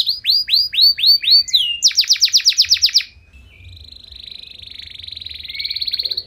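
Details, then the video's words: Canary song opening with slow looping whistled notes, then a fast burst of sharp descending notes, ending in a soft buzzy rattling trill. "Kenari Gacor Nembak Panjang Cengkok Mewah! Bikin Emosi Kenari lain Naik Langsung Nyaut Ikut Gacor"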